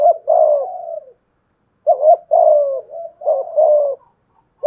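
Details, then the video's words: A decoy spotted dove with a 'thổ pha thúc' voice answers a wild dove. Deep coo phrases are drawn out and slightly descending, given in three groups separated by short silences. "cu gáy giọng thổ pha thúc GÙ đấu với bổi, tiếng gáy bổi nghe rất ghét và gáy theo hiệu quả"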